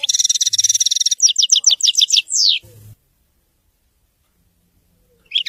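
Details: Goldfinch wedani song: a dense, buzzing high trill gives way to a run of sharp, sweeping downslurred notes and one long descending slur. After a brief faint hum and silence, a high note begins at the end.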